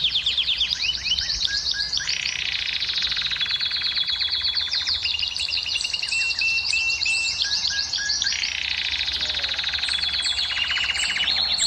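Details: Long canary song said to stimulate female canaries to breed: a dense succession of rapid trills, whistled tours and rolling notes changing pitch every few seconds, continuous and loud throughout.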